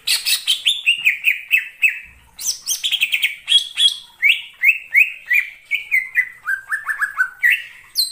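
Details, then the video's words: Wild greater green leafbird in forest giving a lively run of clear, slurred whistles, mostly falling notes repeated several times a second, with short higher squeaky phrases mixed in. "suara cucak ijo di alam liar"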